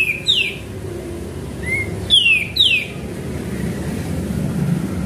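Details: Sooty-headed bulbul lure song: a few crisp, downward-sweeping whistles and a softer rising note, with a passing vehicle rumbling in the background.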